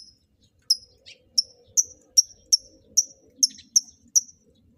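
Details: Lovebirds being paired for mating in captivity; a steady series of about ten clipped, high chirps, one roughly every half second, over near silence.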